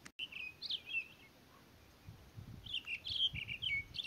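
Townsend's solitaire giving clear, high whistled notes in two quick warbling bursts separated by a second-long pause, with a faint low rumble underneath.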